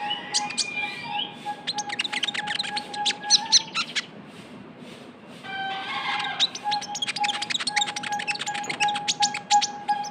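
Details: Young Javan white-eye lure sound: dense, fast twittering of high clipped chirps in two long bursts separated by a brief pause, with a low steady tone running underneath.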